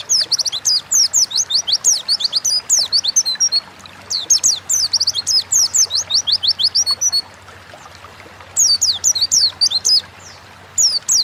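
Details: Oriental white-eye 'ngalas' forest-style song intended to spur caged birds into song: several long bursts of rapid, thin, very high downslurred notes broken by brief silent pauses.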